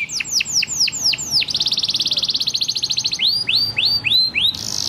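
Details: Canary singing as a tutor song for young canaries: a series of swooping downslurred whistles, then a fast even rattling trill, then more looping rising whistles and a final bright buzzy burst.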